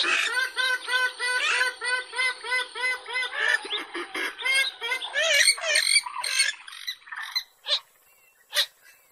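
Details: Purple swamphen call played to lure birds into traps: a rapid run of nasal, honking notes, about three per second, breaking into rougher squawks and then scattered single notes with quiet gaps.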